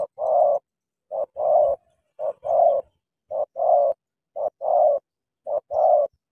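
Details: Caged decoy spotted dove from Cà Mau meeting a wild bird, giving six even phrases, each a brief lead-in note then a drawn-out mellow coo, repeated roughly every second with clean silence between.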